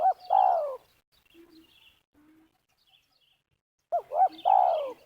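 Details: Spotted dove calling during ground trapping with snares in Liwa, West Lampung. Two phrases about four seconds apart, each two quick looping hoots then a drawn-out, downward-sliding coo, with faint soft notes between.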